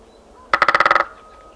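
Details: Great spotted woodpecker drumming in the countryside in winter, 13 February 2018: a single fast roll of about ten sharp strikes lasting half a second, fading quickly into quiet background.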